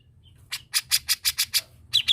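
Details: Grey-cheeked bulbul singing: six harsh, rasping chattering notes in quick even succession, then two shorter squeaky notes, over faint low hum.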